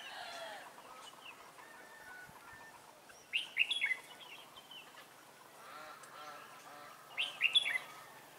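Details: Red-whiskered bulbul used as a caged lure for catching wild birds, 11 December 2016; two quick, chattering warbled bursts about four seconds apart, with softer harmonic calls from another bird at the start.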